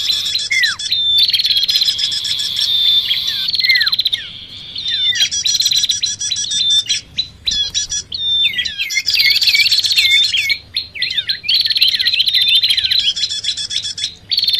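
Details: Bar-winged prinia calls used as a lure to attract prinias, mixed with common iora sounds: dense, buzzy, high chattering runs broken by short gaps, with repeated sharply descending whistled sweeps.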